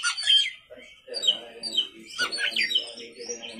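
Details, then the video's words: Oriental magpie-robin singing at night, bright whistles and chattering notes over a low murmuring background. "pancingan kacer gacor malam hari"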